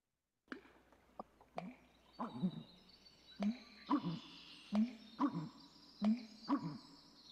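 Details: A male American Bittern pumps out deep, hollow, gulping booms in a repeated pattern, with faint bill-snap clicks at the start as it gulps air for the call.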